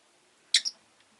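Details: Rosy-faced lovebird kept as a pet; two quick high chirps in succession, the second slightly softer and thinner, then quiet.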